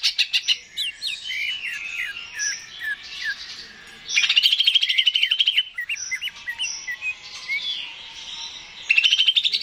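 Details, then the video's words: Cucak ijo, the greater green leafbird, singing a varied gacor song meant to spur birds into song: slurred whistles and mimic-like phrases, then a loud run of fast chattering notes. "PANCINGAN CUCAK IJO GACOR, AMPUH BURUNG MAKIN SEMANGAT UNTUK BUNYI DAN GACOR"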